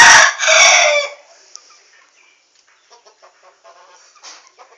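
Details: In a quiet yard with one chicken under a basket cage and another outside pecking at rice, a rooster gives a loud, harsh crow of about a second, then soft scattered clucks.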